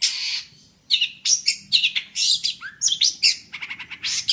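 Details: Jentet bird delivering a busy, scratchy song that mixes harsh rasping notes, quick chirps and one low slurred whistle, packed closely together after a short opening pause.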